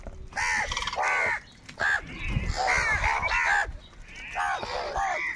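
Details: Crows fighting for food caw angrily in loud, rough bursts. Some calls are drawn out and others clipped, running close together with short pauses.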